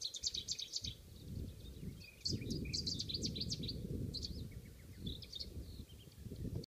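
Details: Cetti's warblers displaying in spring on Lesvos, Greece, 2015: loud, sharp, high chirping bursts in quick succession over a steady low rumble of wind.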